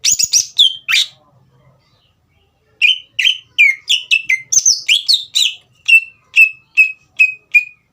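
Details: Spirited green leafbird song used to rouse a young cage bird: a quick run of high whistles, a pause, then a lively series of slurred notes ending in evenly spaced, repeated down-slurred whistles.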